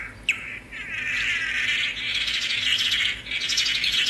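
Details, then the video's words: Song of the swallow-tailed manakin (tangará): one sharp note, then a long rising, buzzy, warbled chatter, high and rapidly modulated, continuing with only a short break. "Canto do pássaro "tangará""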